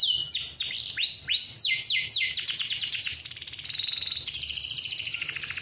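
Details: Hand-reared male canary in full persistent song, kept as a model for juvenile canaries and to prompt reluctant singers. Swooping whistled notes give way to fast buzzy trills and a long, even rolling trill at the end.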